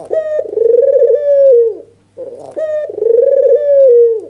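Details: White red-eyed Barbary dove, albino, giving an agitated nodding display coo used as a lure to provoke rival doves: two long rolling coos, each opening with a short clipped note, then a steady vibrating middle dropping at the end, over a faint low hum.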